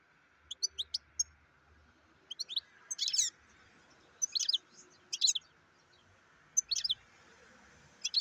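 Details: European goldfinch giving scattered short bursts of high, sharp twittering chirps separated by pauses of a second or more, over a quiet steady hum.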